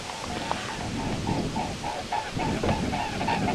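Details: Mute swans in flight over European ponds, recorded in autumn and spring (2011 and 2017). Steady rhythmic throbbing pulses, about three to four a second, with a low rumble of background noise underneath.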